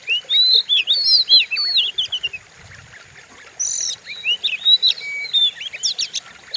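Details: Oriental magpie-robin lure song used to rouse other birds: looping whistled phrases rising and falling, a quiet gap, then sharper high notes and brief chatter resuming.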